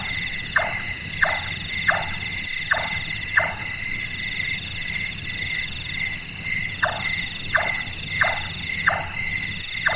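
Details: Large-tailed nightjar, a nocturnal bird whose voice sounds like a carpenter working: a run of five descending knocks, a pause, then four more, all under a steady insect drone.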